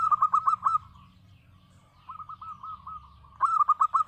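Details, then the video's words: Local zebra dove (perkutut lokal) song: a quick run of rapid coos, a softer drawn-out rolling phrase, then another fast burst of staccato coo notes. "suara perkutut lokal gacor"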